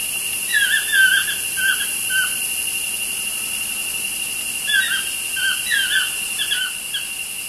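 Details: Two toucans chatting away by a studio window, giving two bouts of rapid squeaky croaks, each note dropping in pitch, separated by a short pause, over constant background hiss.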